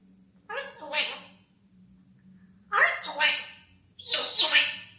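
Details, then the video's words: Congo African grey parrot talking, mimicking human voices: three separate speech-like phrases, each about a second long and rich in harmonics, spaced by pauses, with a faint steady low hum throughout. "Funny Talking Grey Parrot"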